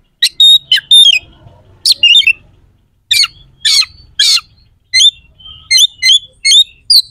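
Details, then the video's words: Oriental magpie-robin pouring out coarse, sharp song to provoke opposing contest birds: a repeated series of harsh squawky bursts alternating with crisp high chirps. "PANCINGAN KACER AUTO CEPAT RESPON/KACER JADI EMOSI SIAP TARUNG"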